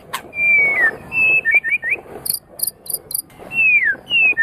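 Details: White-rumped shama from Medan, champion-quality, singing to stimulate other birds: clear, drawn-out whistles that slide downward, separated by short gaps, with brief high thin notes in between and a murmur of background noise.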